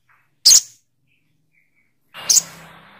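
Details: Sogok ontong bird making two short, harsh, scratchy screeches nearly two seconds apart in otherwise quiet surroundings.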